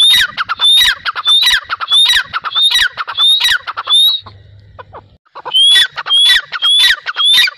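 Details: Grey francolin calling: loud, harsh, rapidly repeated phrases, each starting with a clear whistled rising note and followed by sharp downward strokes, about one phrase every half second, with a short pause in the middle.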